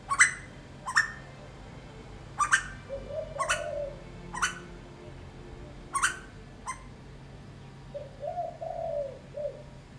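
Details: Asian koel, a black bird visiting front-yard plants, gives soft rising "uuwu" notes twice among repeated sharp clicks and snaps over a quiet hum.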